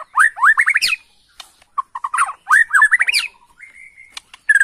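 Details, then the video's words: Bornean white-rumped shama, emotional lure song: quick series of rising whistled upslurs in rapid succession, a pause, another rising series, then a thin level whistle and a brief loud note. "PANCINGAN MURAI BORNEO EMOSI..!! HITUNGAN DETIK LANGSUNG NYAUT"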